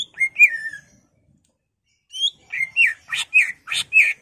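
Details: Caged greater green leafbird singing agitatedly, used to provoke other birds into song: a long slurred whistle falling from high to mid pitch, a pause, then a run of quick, varied whistled phrases, some with buzzy edges.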